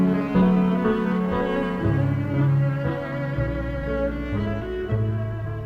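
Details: Rich bowed cello notes play a slow melody in a low register, moving stepwise with sustained tones, and no animal sounds are heard.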